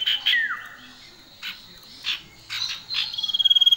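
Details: Common iora pair, male and female, in lively song: a high note slurring downward, spaced buzzy bursts, then a fast trill of evenly repeated high notes at the end.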